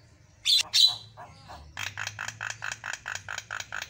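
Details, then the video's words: A very vocal black-winged myna, used as training song for other birds, gives two loud, harsh squawks, then a fast string of about a dozen rasping, high chattering notes, roughly six per second. "SUPER GACOR JALAK KEBO MATA PUTIH"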